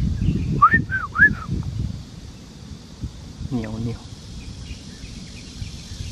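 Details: Male white-rumped shama singing at Loudi Mountain Nature Park, Mituo, Kaohsiung, Taiwan, 13 June 2018 around 12:20: three quick, clear whistled notes each slurring downward, then a brief harsh note, over low rumbling background and a possible voice.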